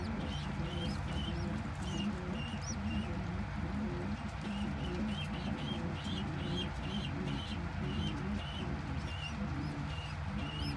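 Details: Domestic pigeon squab being fed crop milk by a parent: thin, high squeaky peeps in quick arched bursts repeat steadily through the feeding. Soft low murmuring sounds and a constant low background hum run underneath.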